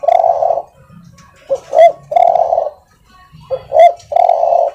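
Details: Spotted dove song used as a master recording to train birds: a soft low cooing phrase, a short lead-in note then a long rolling coo, given twice with quiet gaps between.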